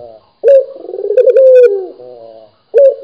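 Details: Lively local Barbary dove giving one full coo: a sharp start, a quavering purr, a smooth sustained note and a softer falling ending. The next coo begins just after a brief pause.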